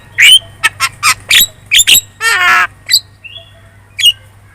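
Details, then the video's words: Javan myna singing a lure song meant to make other birds answer: harsh squawks and short broadband notes, a raspy buzzing note, and a few thin whistles, with a faint steady low hum behind. "PANCINGAN JALAK KEBO super gacor cerewet.di jamin burung kamu langsung nyaut"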